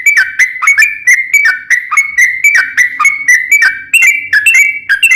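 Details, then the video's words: Trucukan song recorded as a lure for other bulbuls: quick, rolling chain of ringing whistled notes slurring downward, evenly paced, some pitched slightly higher toward the end, over faint low hum. "KICAU SUARA trucukan gacor ropel panjang pancingan trucukan agar bunyi"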